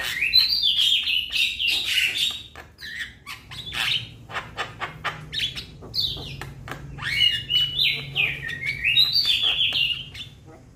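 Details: Young Javan myna calling its companions in a loud, busy stream of chattering, squeaky, rising and falling whistles mixed with rapid clicks, continuing almost without pause for about ten seconds.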